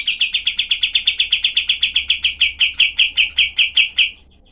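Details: Olive-winged bulbul delivering tight, sharp 'tembakan' shots: a long run of rasping notes repeated quickly and evenly, slowing slightly toward the end before stopping.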